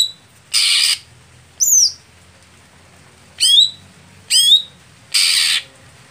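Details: Contest setting for a Greater green leafbird slow to start: harsh raspy bursts at start and end framing high whistles that slide steeply downward, about one per second.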